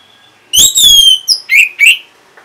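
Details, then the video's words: Orange-headed thrush singing in response to a lure sound: a long bright whistle sliding down, then a quick run of short sharp chirped notes, with quiet background. "Reaksi ANIS MERAH Saat Dipancing Suara Ini !! Langsung Nyaut"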